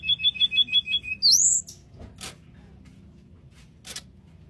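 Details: Sunda robin singing in the flute-like nyuling style: a quick run of about eight clear, high piping notes followed by a bright upward-swooping whistle, then quiet with a couple of sharp clicks.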